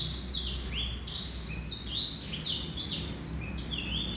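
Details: Male Black-throated canary singing a rapid run of high, thin notes, each slurring steeply downward, tumbling one after another with brief overlaps, about two or three per second, over a faint low hum.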